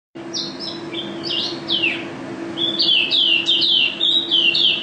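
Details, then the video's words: Mountain white-eye, a national champion songbird, singing high thin chirps and sliding notes that run into a fast twittering phrase of repeated bright notes, with a steady low hum behind. "Pleci Juara 1 Nasional pleci Gacor"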